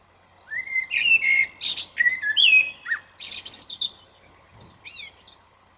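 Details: Common blackbird singing at lunchtime from a small tree in a car park, close by: rich, low, fluting whistled phrases, slurred and mellow, followed by a higher, scratchy twittering flourish of rapid squeaky notes.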